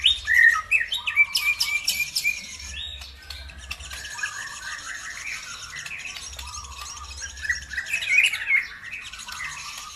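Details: Lure song to make other birds sing along: jumbled high squawks and chirps with a bright whistled phrase, fading into continuous scratchy twittering with a low droning note beneath, then another burst of loud chirps.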